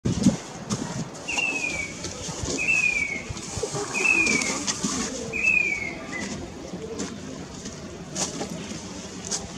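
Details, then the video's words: Grey-bellied cuckoo call: four high, slurred whistles falling in pitch, about every second and a half, over a steady background hiss with a few faint clicks. "Grey-bellied cuckoo call"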